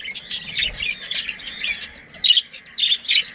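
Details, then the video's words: Budgies of a breeding pair and colony chattering with rough warbled squawks, then three louder harsh bursts in the last second, in a quiet background. "Budgies Breeding Pair"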